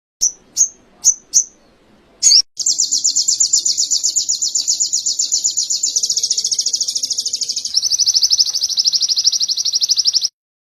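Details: Canary in a modern sogon training recording: several short high chirps and a slurred note, then an extended rapid rolling trill that steps down slightly in pitch halfway, lasting about eight seconds.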